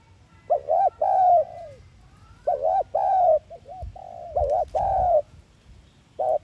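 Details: Lure coo of a spotted dove, played to stir a kept dove into calling. Repeated low, throaty two-note phrases, some with short soft extra coos, over a few dull thumps in the background.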